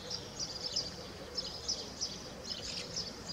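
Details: House martin calls: thin, high twittering chirps repeated roughly every half second in loose groups, over steady low hiss.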